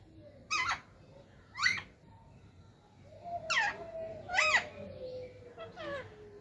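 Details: Talking parrot giving a few short, harmonic voice-like bursts with rising and falling inflections, spaced about a second apart, over a long faint descending whistle and low room hum.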